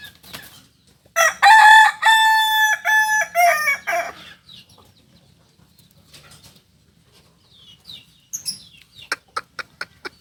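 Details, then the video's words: Kokok Balenggek chicken from Solok, a native singing breed, with a landiak-class crow. A loud, multi-syllable crow of about three seconds steps along in linked segments. A quiet pause follows, then a series of sharp clicks. "Ayam kukuak balenggek ayam penyanyi asli solok dengan kokok kls landiak"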